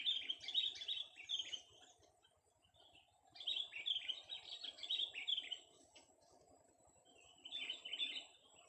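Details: Young sooty-headed bulbul in a vocal test, singing bursts of quick bubbling, chattering phrases lasting one to two seconds, separated by short pauses, with faint low ticking noise underneath.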